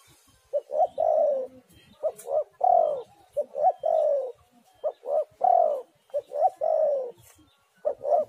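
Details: Spotted dove singing as a lure for other doves: repeated phrases of short coos followed by a longer falling coo, delivered in a steady series.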